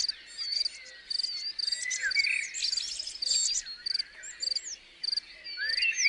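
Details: Chickadee at Ngô Chân in March 2020 calls in short bursts every second or so: quick high chips and buzzy, run-together notes, with thin whistled slurs mixed in.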